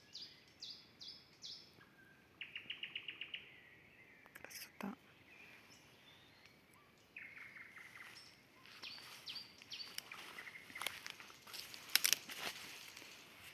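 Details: Common nightingale singing in a rural garden during nesting, said to stop singing once the young hatch because it must feed them; rapid repeated note series and buzzy rattles in varied phrases, with clicks and handling noise.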